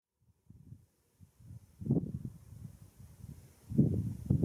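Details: Black grouse at a lek at World's End, Wales, in April 2017, giving low, bubbling murmurs in uneven pulses that twice swell into louder bursts, with a quiet open-air hush behind.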